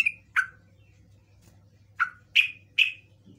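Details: Yellow-vented bulbul (trucukan) lure sound, meant to make other birds answer: five short, bright chirped notes, some falling and some steady, given in two bursts with a pause between, over a faint low hum.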